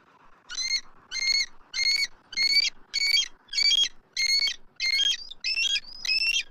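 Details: Nest-camera recording of adult eagles in Southwest Florida, March 12, 2024, vocalizing at a circling immature eagle. About ten evenly spaced, high, shrill stuttered squeals repeat roughly every 0.6 seconds at steady loudness.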